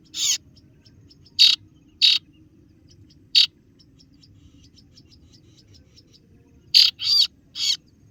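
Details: Kaso-kaso bird, or singo barong, lure call for calling rivals: scattered single harsh notes, faint soft ticking between them, then a closing cluster of three rasping notes over a low background hum.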